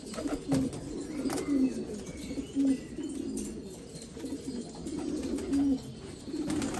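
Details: Black Afghan pigeons in Afghanistan: short, low coo notes stand out about once a second over a softer background murmur of other birds cooing.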